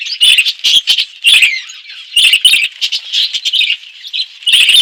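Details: Loud, bursty twittering from budgies eating seeds in an outdoor aviary within a forest; chirps come in quick clusters separated by short quieter gaps, with clicky taps throughout.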